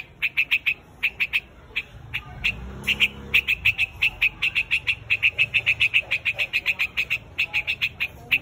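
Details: Flock call of the white-headed quạch mốc: scattered harsh notes at first, building into a long, fast, rhythmic chatter of clipped calls with a low rumble faintly behind.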